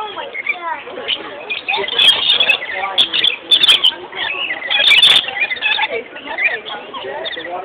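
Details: Caged lorikeets at San Diego Zoo Safari Park, playing in a way that looks like fighting: a dense jumble of shrill, squeaky chatter and rising screeches, with sharp clicks and bursts of noise.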